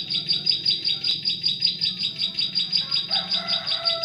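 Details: Bar-winged prinia song used as a lure for trapping prinias in forest: high, sharp chirping notes repeated steadily about two and a half times per second, with fainter whistles from other birds in the background.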